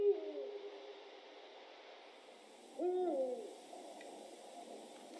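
A Eurasian eagle-owl gives two deep, wavering hoots about three seconds apart, with a soft steady hiss behind.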